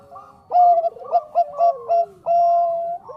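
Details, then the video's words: Zebra dove of the Bangkok type singing strongly in a lure recording: a long steady coo, then quick staccato notes in a bouncing rhythm, a downward slide, and another sustained level coo. "SUARA PERKUTUT BANGKOK GACOR AMPUH UNTUK PANCINGAN"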